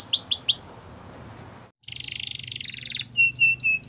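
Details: Belgian canary training song by a champion bird: a few swooping notes, a pause with a brief gap, then a dense buzzy high trill and spaced short clipped whistles; faint low hum throughout.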